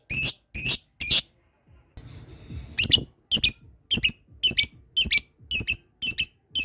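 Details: Lovebird practising its ngekek trill, prompting other birds to call. Three sharp high squeaks, a brief low rustling pause, then a quick run of paired squeaky chirps at an uneven, rapid pace.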